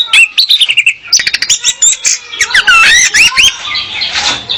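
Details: Female orange-headed thrush song meant to attract a male and get him singing, for training: quick whistled notes, then a busy tangle of slurred, looping phrases with a scratchy burst near the end.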